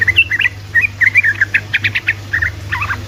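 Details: Lively ropelan song of a sooty-headed bulbul, played to provoke quiet bulbuls into singing: a continuous chatter of warbled, slurred notes in a rolling sequence, with a constant low background hum.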